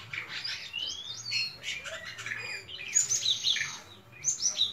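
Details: White-shouldered starling in melodious song, mixing rising and falling whistled slurs with rapid chirps and squeaky high notes, the phrases tumbling together almost without pause.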